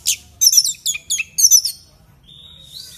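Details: Short burst from a loud Orange-headed thrush, a fighter bird whose drunk-sounding 'teler' style is played to make another bird sing: a quick cluster of sharp high chirps and buzzes, then a faint thin whistle.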